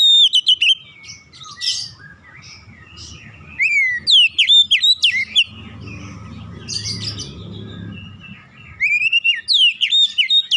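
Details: Oriental magpie-robin song meant to prompt other birds to sing: three loud phrases of rapid, slurred whistles with sharp upsweeps, separated by softer chirping and a low murmur in the background.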